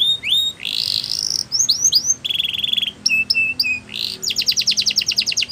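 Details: Varied canary training song: rising whistles, a buzzy roll, short chirps, a steady lower trill, then a quick sharp high rattle.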